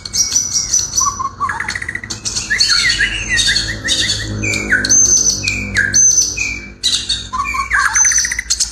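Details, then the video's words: Murai singing a melodious song: a dense, varied run of high whistles, slurred notes and sharp squawky phrases with hardly a pause, the notes jumping between high and very high pitches. "Saura merdu kicau burung murai"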